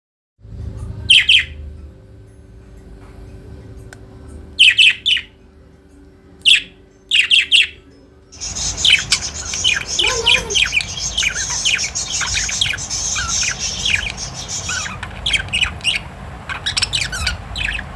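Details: Pet budgerigars eating green leafy vegetables give bursts of sharp, high chirps, then a busy stream of overlapping chatter.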